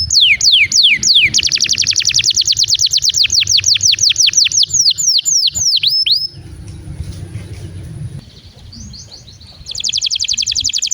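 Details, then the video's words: Canary in long song intended to prompt other canaries to sing: quick falling whistles, a loud rapid rolling trill, a quieter pause with faint notes, then a high buzzy rattle. "Pancingan Kenari gacor panjang untuk masteran kenari paud & terapi kenari macet bunyi agar gacor"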